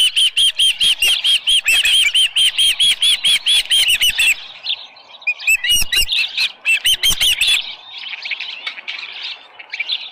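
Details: Osprey calling at its nest, Dunrovin Ranch, 6:52 AM on 24 July 2018, with a headless fish: a steady rapid string of shrill arched whistles for four seconds, then scattered chirps and softer twittering.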